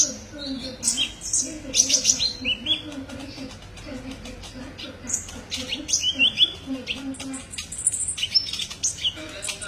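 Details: Kolibri ninja sunbird singing in a masteran training recording: bursts of very high, sharp chirps and quick trills, some short clear whistled notes, spaced by brief pauses, with a faint low background hum and murmur.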